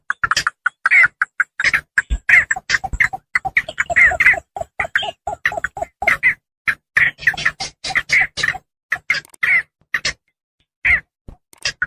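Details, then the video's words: Sound used to lure Javan pond herons for hunting: a long, crowded burst of grating squawks and clipped croaks, thinning out near the end into scattered single calls. "suara pikat burung blekkok sawah,puchong rawa"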